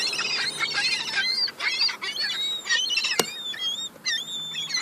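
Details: Young gulls fighting over crumbs: a busy chorus of thin, high whistled squeals, many overlapping, some rising and falling, in dense bursts with brief pauses, plus a sharp click near the middle.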